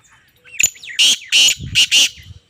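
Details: Female black francolin producing a thin upward-sliding note followed by four loud, scratchy, grating notes grouped in pairs, each about a fifth of a second long.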